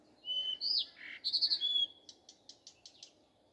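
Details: A common nightingale sings in the morning, a rich phrase of whistles, a rising slur and buzzy trills, ending in a rapid run of dry repeated clicks; faint low background hum.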